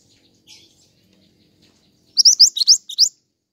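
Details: Pied triller singing energetically, used as lure and master audio for cage songbirds: a soft distant note, then a quick run of about six loud, rising whistled notes slurring upward.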